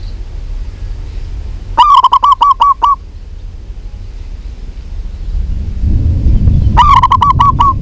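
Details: A local female zebra dove calls to a male: two bursts of rapid, staccato cooing notes, each about a second long, with a low rumbling noise swelling in the background near the end.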